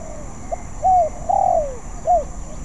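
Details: Young-sounding practice song of a spotted dove, not yet skilled: a soft short note, a rising-falling coo, a longer descending coo, then a final short arched coo.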